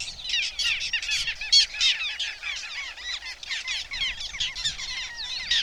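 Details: A passing flock of Little Gulls, several hundred (perhaps 300 or more) flying close over the Vistula near Gdańsk on 20 June, gives a dense, unbroken chatter of short, sharp, high overlapping calls.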